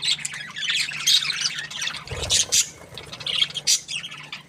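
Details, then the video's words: Happy budgerigar chirping: steady high, scratchy warbling and squawky chirps, with a brief low knock about halfway through and loud sharp squeaks near the end. "Happy budgie chirping sounds"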